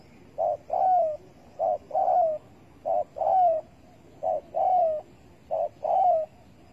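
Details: Spotted dove calling at a bird trap set with bare bait, 15 August 2020: soft paired coos, a short note then a longer falling one, repeated steadily about every 1.3 seconds.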